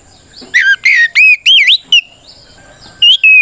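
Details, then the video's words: Oriental magpie-robin in loud 'ngeplong' fighting song, used as a lure to make other magpie-robins respond and open their tails: clear whistled notes, some rising and some falling, delivered in quick bursts with short pauses. "Suara Burung kacer gacor NGEPLONG tarung ini paling ampuh buat PANCINGAN KACER agar EMOSI Nyaut"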